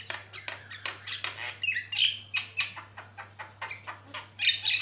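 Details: Highly vocal Javan myna, used as a tutor for other birds, pours out continuous harsh, chattering squawks in quick succession, with a short whistled twist near the middle and a loud rasping flourish at the end.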